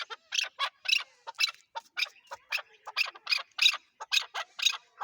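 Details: Chukar partridge calling loudly, with clipped, emphatic notes repeated about twice per second in an uneven rhythm, close to the microphone.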